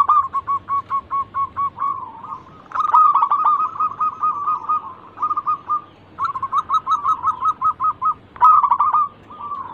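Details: Rapid trilled cooing from a local zebra dove, a lure bird meant to get other doves singing. A fast series of clipped notes gives way to longer rolling phrases that recur several times, occasionally punctuated by sharper clicks.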